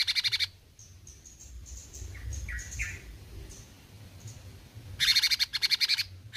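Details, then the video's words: Besetan-style singing by a cucak cungkok bulbul: a short buzzy pulse burst, then soft high whistles and chirps, then another rapid rasping series of about a second. "Besetan Cucak Cungkok Gacor"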